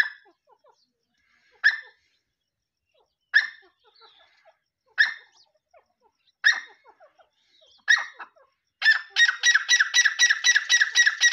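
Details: Black francolin calling: single harsh notes spaced about every one and a half seconds, then a sudden burst of rapid, rasping notes packed closely together, with a quiet background.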